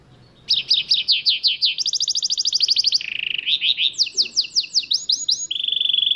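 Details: Goldfinch mule in full song, rolling through downslurred notes, a faster shimmering trill, a low rattle, sweeping whistles and a closing steady buzz.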